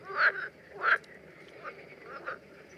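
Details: Common terns in the Danube Delta in June 2016, during mating behaviour: two loud, rasping calls in quick succession less than a second apart, then two fainter, shorter notes against a low hiss.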